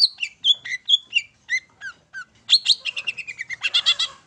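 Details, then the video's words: Long-tailed shrike song for provoking birds to sing. Quick whistled notes step down in pitch, then a rushed, rattling jumble of fast chirps and squeaks closes the phrase. "PANCINGAN TERBAIK!!! CENDET MAIN SATU TITIK"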